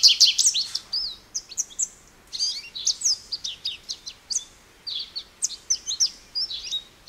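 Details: American goldfinch singing a lively run of varied high twittering notes, some sliding up or down, delivered in quick bursts with short pauses between phrases.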